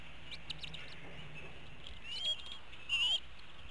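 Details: Eaglets at an eagle nest in Hanover, Pennsylvania, at dinner time on 5 April 2017, around 5 pm, one missing out on food; two thin, high whistled calls rise and level off, over a steady low rumble.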